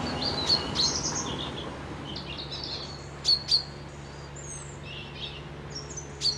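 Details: By a loch near Dundee, Scotland, wild birds give scattered high chirps, often in quick pairs. Faint, distant twittering fills the gaps, set against a low background hum.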